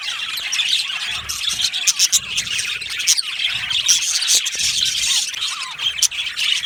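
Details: Happy budgerigars chirping in an aviary colony, ceaseless high warbling chatter layered from many birds, with quick upslurred squeaks and occasional louder clicks standing out.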